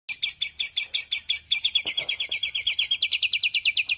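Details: Unique, actively singing songbird: fast runs of high, sharp chirps, about three per second, shifting into a denser, lower series of notes midway and ending with a steady rapid pulse.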